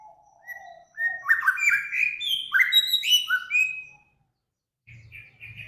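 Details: Cage songbird recorded as a training master, named among Samyong, Kancilan Flores and Garugiwa: a low whistle, then a tumbling burst of varied rising and falling whistled notes, a short pause, and a few quieter chirps.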